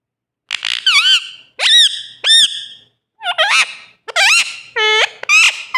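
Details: Parrot calling loudly: a series of harsh, strongly harmonic squawks and bent whistles in short bursts, some rising then falling, each bout under a second with brief gaps, in a quiet setting.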